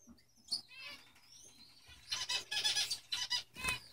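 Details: Male Lady Gouldian finches: a soft thin whistle is followed by a dense run of buzzy, rasping notes, pulsed several times a second, with a low steady hum underneath.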